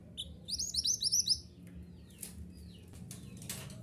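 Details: Mantenan gunung, a bushchat, in a recording played to caged birds to get them singing: a quick run of bright, high chirped notes over about one second, then faint scattered chirps and background rustling.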